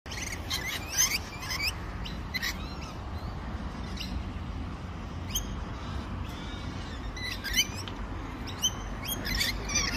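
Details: Australian rainbow lorikeets at close range giving shrill, screechy high-pitched chirps and squeals in scattered bursts, several overlapping, above steady low background rumble.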